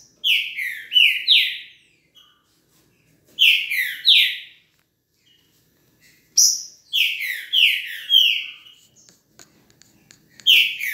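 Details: Velocista-style trinca-ferro, the green-winged saltator, repeating loud phrases of three to five descending slurred whistles roughly every three seconds, separated by quiet pauses.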